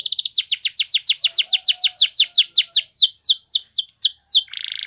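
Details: Canary singing a training song meant to teach other canaries: a fast run of repeated high, downward-sweeping notes, about four to five per second, opening and closing with short buzzy trills.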